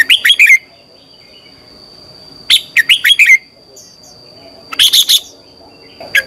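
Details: Red-whiskered bulbul's morning song for training birds: quick phrases of four or five bright, rolling notes, repeated roughly every two seconds, with a soft constant high whine in the background.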